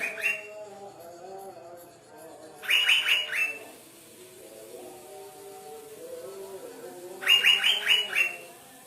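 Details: Asian fairy-bluebird, spotted type, singing actively: two bursts of rapid, bright descending whistled notes about five seconds apart, over a steady lower droning hum.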